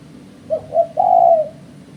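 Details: Spotted dove calling, a sound trappers use as a lure. It is a single phrase of two short low coos followed by an extended, gently wavering coo, clear and close over a faint background hum.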